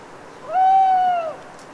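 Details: Owl alone in the heart of the night in a rain-soaked autumn wood of the Cévennes foothills, Les Assions, France, uttering one long, even, plaintive hoot that drops slightly at its close.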